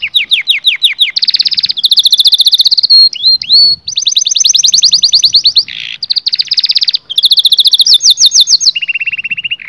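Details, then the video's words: Canary song for arousing males and females to breed. The bird sings continuous bright rolled trills, changing tour every second or so, with a short pair of upslurred whistles mid-way and a lower buzzy roll at the end. "التغريد الاقوى في عالم طيور الكناري لتهيج الذكور وتهيج الاناث على التزاوج"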